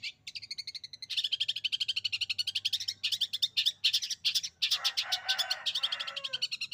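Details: Long-tailed shrike (cendet) singing in canary imitation, a fast continuous stream of rapid buzzy high trills and twittering, turning rougher and broader near the end, with a faint low hum behind.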